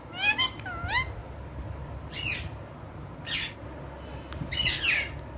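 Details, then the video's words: Female Indian ringneck parakeet indoors giving two squeaky wavering whistles at the start, then scattered short harsh squawky bursts over a steady low hum. "Indian ringnecks female ki talking"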